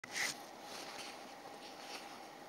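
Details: A ring ouzel (Turdus torquatus) gives a single hard, clicking call note near the start, followed by a steady hiss of wind or distant rushing water.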